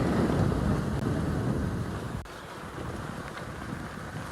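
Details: Low wind rumble and engine-like noise fill the recording, with no animal calls to be heard.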